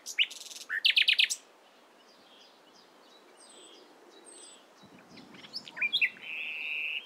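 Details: A nightingale sings in the morning: a short burst of loud rapid repeated notes, a quiet gap with faint high whistles, then a renewed phrase ending in a sustained buzzy trill.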